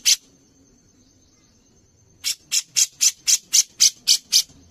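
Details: Grey-cheeked bulbul, known locally as cucak jenggot, used as a master recording for songbird contests: a single harsh note, a pause, then nine evenly spaced, rasping high notes at about four per second, with a steady faint high hiss behind.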